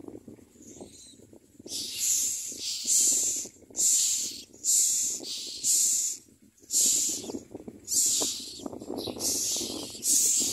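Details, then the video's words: Common myna chick being fed by a parent, begging with harsh, hissing rasps about once a second, each burst lasting under a second, over a low background rumble. "Common myna Birds feed the baby forever"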